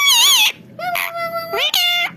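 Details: A pet talking parrot, excited while sitting on its mirror frame, chatters in high, nasal, speech-like phrases: a wavering first burst, then a few drawn-out tones and a rising syllable, all within two seconds.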